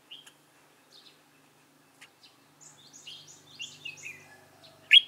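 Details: Red-whiskered bulbul of the white-cheeked type, recorded on 26 June 2018 during trapping with a decoy bird: sparse faint chirps, then a quick run of clear warbled notes, ending in a loud sharp burst.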